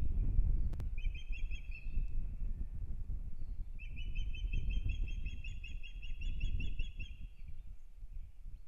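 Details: Nesting ospreys in Kurzeme, Latvia, beginning a new breeding season in April 2022; two bursts of rapid, piping whistled chirps, the second long and steady, heard over heavy wind rumble and a brief click.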